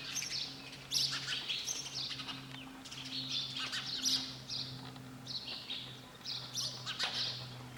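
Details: Repeated sparrow chirps, sharp high notes in clusters about every second or two, with a faint low mechanical hum underneath.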